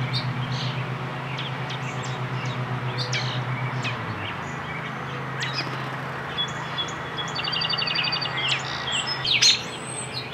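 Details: An American robin fledgling being fed gives high, thin chirps and a quick stuttering series, ending in a louder burst, over a steady low engine hum.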